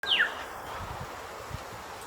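A grey shrike-thrush gives a single clear whistle that slides quickly downward, followed by quiet background hiss and faint rustling.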